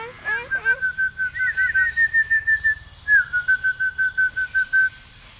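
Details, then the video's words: A hill myna mimicking human whistling. It gives two bright, level whistled phrases of rapidly repeated pulsed notes, each run lasting about one and a half seconds, opened by a few quick looping chirps. "Burung Beo Pandai Bersiul"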